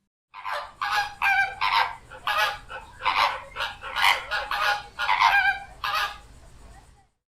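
A flamingo gives a string of about a dozen harsh, nasal, goose-like honks, roughly two per second, with no other sounds.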